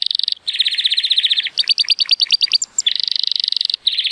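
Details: Timbrado Español canary, a male rated 83 points, born 2018, on a sunny day: dense metallic trills alternating with fast clipped notes and bright high pips, then back to a rolling buzzy trill.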